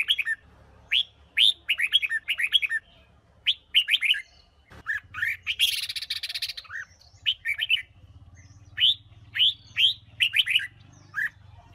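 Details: Female red-whiskered bulbul of the Huế type singing to excite wild-caught males: clusters of sharp, upward-sweeping whistled notes in quick groups of two to four, with a brief noisy burst midway and a steady low hum underneath.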